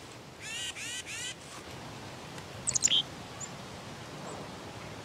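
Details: Black-capped chickadee giving three harsh, buzzy 'dee' notes in quick succession, each rich in overtones, followed after a short pause by a brief, sharp, high note; a soft steady hiss fills the background.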